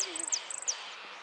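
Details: Goldfinch singing in a song competition in Lanús, a bright run of high, sharp chirps and buzzy notes in quick succession, with faint voices behind.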